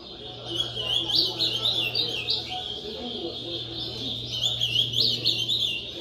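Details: Ultramarine grosbeak singing piá-style phrases during a bird-song contest, pouring out quick high warbled notes in bursts about every second, with crowd voices and a faint steady hum behind.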